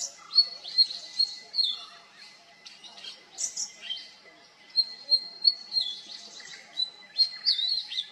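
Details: Oriental magpie-robin song with mimicry of other birds: varied whistles and slurred notes in short bursts, about twice a second, with a faint steady hum throughout.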